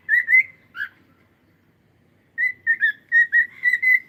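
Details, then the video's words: A cockatiel sings two quick slurred whistles, falls silent for over a second, then delivers a brisk series of about eight clear, evenly pitched whistled notes in quick succession. "Cute Cockatiel singing and sound"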